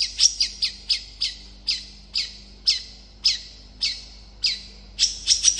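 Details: Long-tailed shrike in fast song meant to draw replies from other shrikes, giving sharp, high, downward-swept chirps at irregular spacing, roughly two per second, with a faint low hum beneath.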